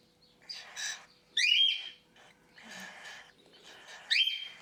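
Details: Hand-fed cockatiel chicks at their first feed, a couple of hours after being lifted from the nest box, giving the feeding reaction. Harsh, raspy, wheezing bursts with squeaky rising starts come in four uneven bouts.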